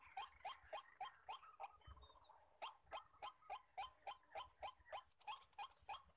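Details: White-breasted waterhen, one of many males calling around a trapping site, gives rapid repeated harsh croaks, roughly three to four a second, with a brief faint whistle from another bird.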